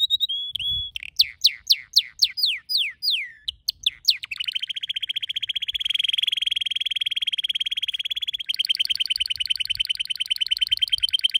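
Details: Caged canary singing a varied phrase: a short whistle, a series of loud, steeply descending sweeps, then a long, fast, buzzy rolling trill that shifts to a slightly higher, brighter trill near the end.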